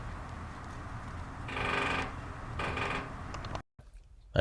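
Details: Two rapid, ringing drumrolls, each about half a second, with background hum between, from a territorial Northern Flicker drumming on a metal trash can lid at sunrise; the drumming attracted a mate and a rival competing for a tree nest hole.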